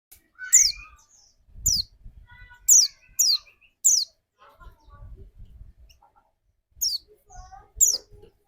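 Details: White-eye lure song meant to set off another white-eye's rapid 'nembak' singing: scattered short, high, downslurred whistled notes in small bursts separated by pauses, with faint low background rumbling.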